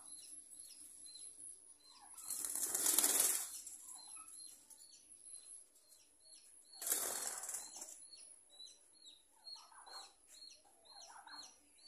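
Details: A small colony of budgerigars chatters in quick, scratchy chirps several times a second, broken twice by loud bursts of wing flapping, with a steady high whine behind.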